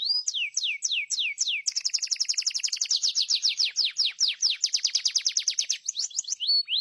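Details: Atlantic canary with a sustained, rapid trill of high sweeping notes, several per second, bracketed by slower downslurred whistles at start and finish.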